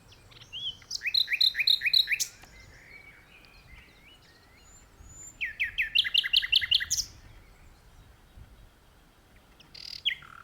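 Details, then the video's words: Common nightingale singing in the open from a tree, delivering two phrases of rapid, evenly repeated high notes several seconds apart, with a brief loud fragment near the end. "Nightingale Singing"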